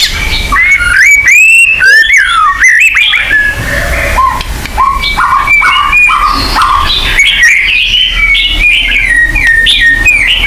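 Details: Varied song of white-rumped shama, used to stimulate a caged bird's territorial instinct: bright whistled notes leaping between pitches, quick rattling trills early on, then dense overlapping whistles and chirps.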